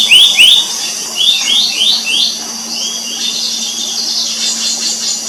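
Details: Family group of Black-naped Monarchs; a run of sharp, high rising whistled notes in quick succession, followed by softer, fainter repeated notes tapering off, with a steady low hum underneath.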